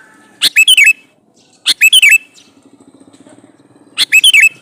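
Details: Sooty-headed bulbul, a male calling a female, gives three lively bursts of rapid chirps with a rising-then-falling whistled ending. A soft low rattling runs between the second and third bursts.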